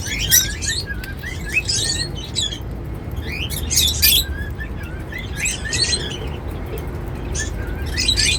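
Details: Happy pet cockatiels eating seeds and singing: a busy run of whistled, upward-sweeping notes mixed with dense high chirps, repeated roughly every second, over a constant low background rumble.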